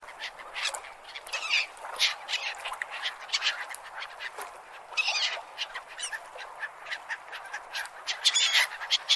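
Gulls give harsh, squawking calls in quick overlapping bursts, several birds at once, with a steady hiss of background noise.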